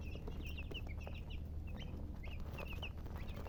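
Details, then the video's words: Colored chicken giving scattered high, short falling chirps, often in pairs, spaced irregularly over a loud droning low-pitched background noise. "silly chicken chirping sounds"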